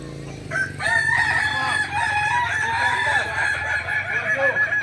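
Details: At a crowing practice contest in Ampang Kualo, Solok, May 2024, a Kukuak Balenggek rooster starts a long rolling crow with several wavering stepped tones, other roosters crowing underneath and a low background hum.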